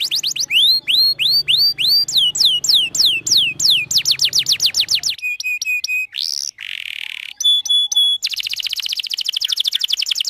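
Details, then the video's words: Canary song used as a lure for young learner canaries: looping upswept chirps and fast downslurred phrases over a low background hum, then pure steady whistled notes, a buzzy tone and a final rapid trill. "Kenari gacor panjang Merdu Cuit Cuit EMOSI, Pancingan Kenari Paud Belajar Bunyi"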